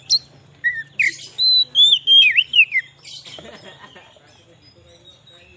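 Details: White-rumped shama song played to lure wild shamas: a burst of sweet slurred whistles and quick looping notes over about two seconds, followed by softer scratchy chatter and a faint low hum.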